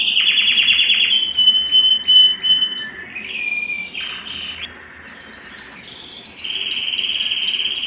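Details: Aroused canary singing to mate: fast trills, a run of separate clipped notes, sliding whistles, and finally quick repeated swooping notes, in varied changing phrases.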